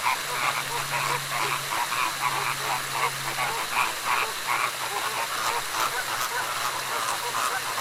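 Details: Flamingos cackling loudly in the morning: a dense chorus of many overlapping nasal, honking calls repeated rapidly and irregularly, over a steady low hum and broad hiss.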